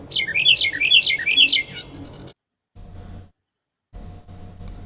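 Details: A Carolina Wren sings its loud "teapot" song, a rolling run of about five quick, bright whistled phrases in two seconds, then stops, leaving faint low background noise.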